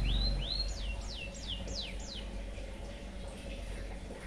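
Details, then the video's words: White-headed munia with canary-learned song material, recorded as tutor audio: two rising whistles, then five sharp falling sweeps roughly every third of a second. The rest trails off into faint low hum. "BURUNG EMPRIT HAJI FULL ISIAN KENARI BIKIN GOYANG GOYANG COCOK BUAT MASTERAN"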